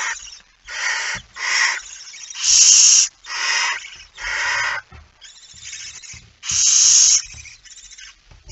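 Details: Night recording of a barn owl with a mouse, 17 September 2019, 01:49: about nine raspy hissing bursts, some loud and some softer, irregularly spaced, with occasional light taps.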